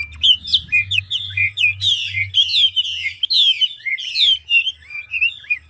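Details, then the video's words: Chinese hwamei of the 'ngũ trường' type, an old, large, handsome bird, sings fast and changeable: slurred whistles, rising and falling, mixed with short buzzy bursts, nonstop over a faint low drone. "Họa mi ngũ trường đảo giọng tốc độ | garrulax canorus"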